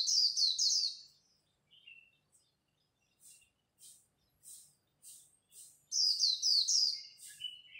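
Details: Líu song of Japanese white-eyes in a dawn contest to excite new birds: a quick high twittering burst, then soft thin chips about every half second, and another bright twitter run near the end.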